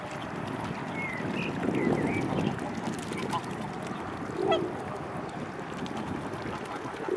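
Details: Many mute swans near the Blaues Wunder, 25 May 2016, mid-afternoon: two brief, low, muffled grunting calls a few seconds apart over a busy background of chatter, water and scattered higher bird notes.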